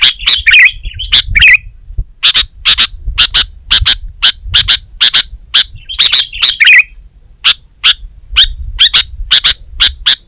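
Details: Sooty-headed bulbul in full voice: bubbly warbled phrases at the start and middle, interspersed with runs of sharp, clicking chips and soft background rumble.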